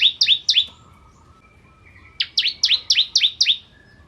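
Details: Bar-winged prinia (ciblek kristal) singing energetically, recorded as a tutor song for training white-rumped shamas: two bursts of sharp, high, downward-sweeping chirps, three then eight, rapidly repeated and separated by a quiet pause with a faint thin whistle.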